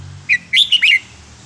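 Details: Red-whiskered bulbul singing a counting-style phrase in wild-song style with pleasing phrasing: four quick whistled notes, the later ones linked into a rising and falling warble, over a low steady hum.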